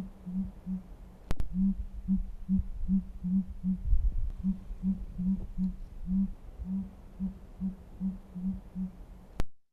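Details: Sooty grouse (Dendragapus fuliginosus) at Mount Rainier, low call: deep, soft hoots in a steady series, about two or three per second, over a low roomy rumble.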